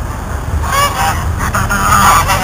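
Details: Goose trying to eat the camera, letting out a run of harsh, nasal, slightly wavering honks that carry on almost continuously, with a low background rumble throughout.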